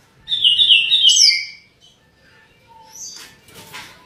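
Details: Grey-cheeked bulbul (cucak jenggot) singing for a songbird tutor recording: one bright, squeaky, warbled phrase lasting about a second, then quiet with a few faint chips.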